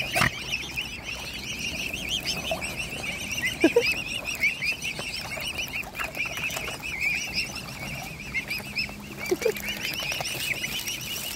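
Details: Hungry mute swan cygnets of one family, fed by hand, chorus nonstop in high arched whistled peeps, dense and overlapping, with occasional knocks and splashes.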